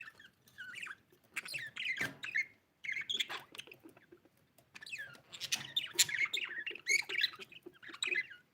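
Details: Pet budgerigar chirping while playing: rapid soft twittering and warbled chirps in bursts, mixed with clicks and tapping noises, short gaps between runs.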